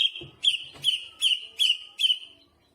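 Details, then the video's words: Greater green leafbird repeating one bright whistled note six times, roughly every 0.4 seconds, each note starting with a sharp high click, part of a chatty song with jamtrok-style fill-ins. "Burung cucak hijau gacor istimewa full muntah isian jamtrok"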